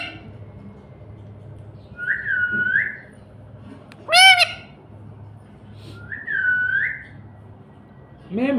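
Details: Pet talking parrot attempting the word "Mummy", giving two clear whistled, slightly rising tonal notes a few seconds apart with a sharp buzzy chirp between them, while a person softly repeats "Mami" nearby.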